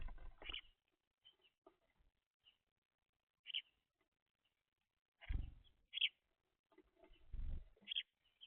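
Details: Several young house sparrows feeding on seed: scattered short, high chirps in small clusters, mixed with low thumping and rustling bumps from movement at the feeder.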